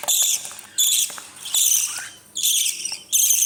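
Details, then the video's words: Parrot chicks being fed at night give harsh, hissing, high-pitched squawks in four or five long rasping bursts, each lasting about half a second, with brief quieter gaps between them. "Parrot baby's feeding at night"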